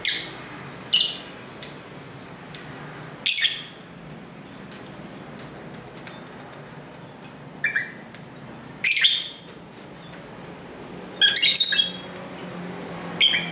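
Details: Lovebirds chattering to each other at a home close to a main street, recorded with a camera's built-in mic: scattered sharp, scratchy shrieks and chirps come in bursts every few seconds, some doubled, over constant low street hum and hiss.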